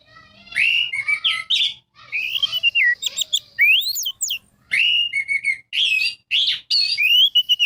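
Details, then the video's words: Lure recording of an orange-headed thrush singing to provoke quiet birds: a continuous, varied run of loud whistled and slurred phrases, with rising and falling notes and quick chattering elements, barely pausing. "Suara Pancingan Anis Merah Macet Langsung Seperti Burung Kenari Gacor"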